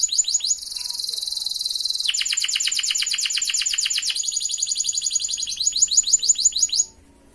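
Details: Canary song recorded to trigger silent canaries into singing: a dense, very high buzzing roll, then long runs of rapid repeated notes that slow slightly before stopping abruptly near the end.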